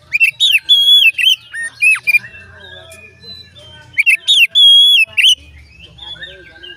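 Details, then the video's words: Oriental magpie-robin singing, its voice said to set other magpie-robins singing along: loud, rich whistled phrases of sweeping, warbled notes in two bursts, separated by quieter twittering and a faint low hum. "dijamin Kacer lain ikut bunyi"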